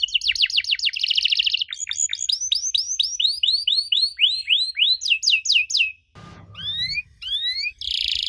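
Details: Canary song played to draw answers from young canaries: chopped chirps and a buzzy roll, a run of rounded rising whistles, steep sweeps, then a short gap, two upward slurs and a final buzz.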